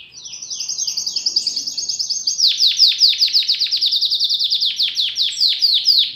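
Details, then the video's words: Domestic canary, a newly arrived pet bird being trained to sing, delivering a loud high song of fast repeated notes: an even trill first, then a quicker run of sharply falling, buzzy strokes repeated several times a second. "COMO TREINAR O SEU CANÁRIO!!! ELE VAI CANTAR LINDO EM POUCOS DIAS!!!"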